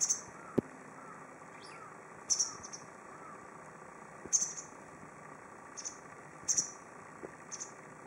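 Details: White wagtail of the subspecies lugens singing from a tree in Goryokaku Park: short, thin, high chirps given singly or in quick pairs, about six notes spread over eight seconds, over a steady low background hum.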